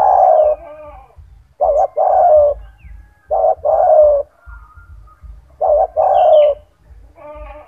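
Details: A loud, strong-voiced captive spotted dove (tekukur), kept as a singing model for other doves, repeats its coo phrase three times. Each phrase is a short double note and then a drawn-out mellow coo, with brief fainter notes between them.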